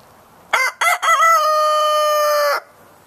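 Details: Barred Rock rooster on a ranch in northern California crowing: two short harsh opening syllables, then one loud, long, steady drawn-out note held about a second and a half before stopping abruptly.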